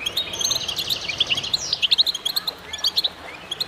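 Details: Goldfinches singing in a chorus: loud, quick chirping with a sweeping, buzzy downward note partway through, over continuous high twittering from the rest of the group.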